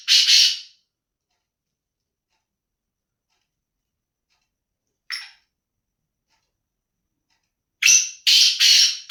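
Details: Black francolin giving a single rasping note, a faint short one some seconds later, then a tight burst of three harsh, scratchy notes at the end; long silent gaps separate the calls.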